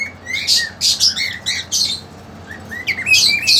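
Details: Indoor caged cockatiels, a young female and a mating-eager male, produce a run of harsh high squawks with short upslurred chirps between them, then a pause before more squawking.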